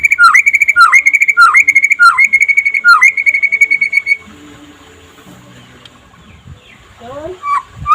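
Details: Daytime white-rumped shama song in the trotol style, used as a master to get other shamas singing: a rapid run of identical bright whistles, each dipping then leveling, repeated about twice a second, followed by a quiet pause and soft rising notes.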